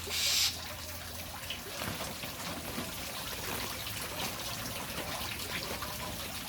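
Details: Steady rain patters and trickles throughout, with a brief louder burst at the start and no animal voice standing out.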